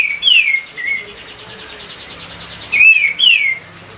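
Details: White-eye song used as a lure for training other songbirds: clear descending whistled slurs, two near the start and two after a pause, over a steady soft background hiss.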